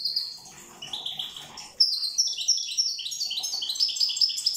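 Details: Corsican European goldfinch in song, a liquid, rapid chain of high chirps and tinkling twitters, softer at first, then louder and denser after a short pause, running without a break to the end.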